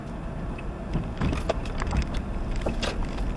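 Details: Low rumble with scattered clicks and wooden knocks, like gear being handled, and no animal call heard.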